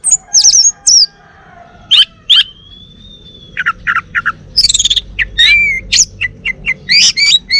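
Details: Male Bali orange-headed thrush kept at home sings a varied, rich song: high squeaky notes, a long thin level whistle, then quick bursts of sharp chirps and clear warbled phrases, with brief pauses between.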